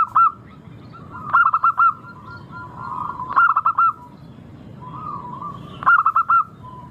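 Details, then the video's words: Local zebra dove singing in a clear, melodious voice, offered as a lure to prompt singing: three bursts of rapid throbbing coo notes, with soft mellow coos from other doves between them. "Pancingan burung perkutut lokal Suara merdu kristal sangat ampuh bikin cepat bunyi langsung gacor"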